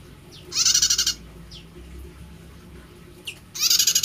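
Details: Prinia with a voice described as unique and unlike the usual, giving two loud bursts of rapid, buzzy, evenly pulsed notes about half a second each, separated by faint high downslurred calls and a low background hum.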